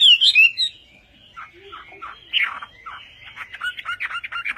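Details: Chinese hwamei, western type, in Vietnamese song style: opening loud twisting whistles, then a softer stretch of scratchy, chattering notes that builds into quick repeated bright phrases near the end.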